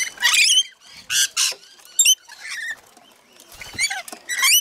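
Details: Rainbow lorikeets in a feeding frenzy at Mount Tamborine, Queensland, Australia: several birds give harsh, screechy, high squawks in overlapping bursts, some with rapid buzzy chatter, separated by short quieter gaps.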